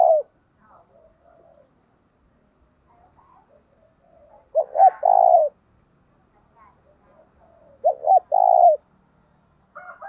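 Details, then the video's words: Spotted dove calling as a decoy to draw rival birds: two full cooing phrases of quick hooked notes running into a held coo, separated by about three seconds of faint soft sounds. "tieng cu gay kich boi nhanh noi"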